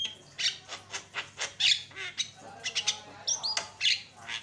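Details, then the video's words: Javan myna lure song to stir up other mynas: a string of rough, scratchy notes roughly every quarter second, broken by bright high whistles and a couple of short upward-curving chirps. "pancingan jalak kebo suaranya bikin jalak emosi"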